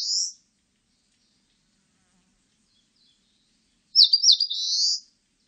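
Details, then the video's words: Eastern crowned warbler singing: the tail of one phrase, then after a silent pause a high phrase of two or three sharp notes running into a drawn-out buzzy trill. No other sounds. "산솔새, 여러번 듣기"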